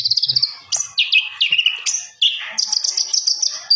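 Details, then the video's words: Common iora song kept as a master recording: loud, high whistled notes in quick repeated series, some sliding down, others held steady, alternating with brief chattering phrases. "MASTERA BURUNG KONIN GACOR SAMPAI NGOBRA"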